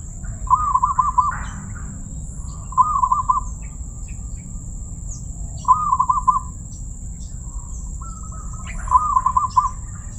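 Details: Zebra dove (perkutut) noted for its crystal voice, singing four rolling, rapid-note coo phrases spaced roughly three seconds apart, with a brief rustle after the first. A steady high whine and low hum run through.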